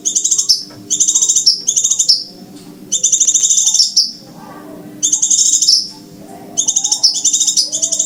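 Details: Bird-trapping lure recording of scarlet minivet: five quick bursts of shrill, rapidly pulsed high notes, each lasting about a second, coming at irregular intervals over quiet background hum.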